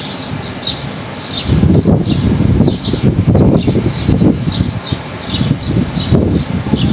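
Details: Birds chirp in trees as strong wind blows on a fine day; a rapid run of short, high notes continues throughout, partly buried under loud, surging wind and rustling leaves.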